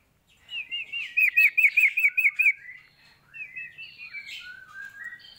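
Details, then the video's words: A sooty-headed bulbul in full song gives a quick run of about nine bright, slurred chirps, then a few varied whistled phrases; the background is quiet. "burung Sirtu Gacor"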